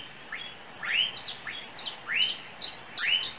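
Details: Small yellow bird perched on overhead cables in Trinidad gives a chirping song. It repeats short, rising, upslurred chirps about every half second in paired notes, over quiet outdoor background.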